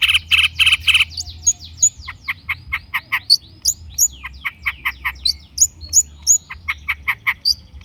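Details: Long-tailed shrike lure song: a harsh opening rattle followed by a fast, varied jumble of high chirps and short slurred whistles with no pause.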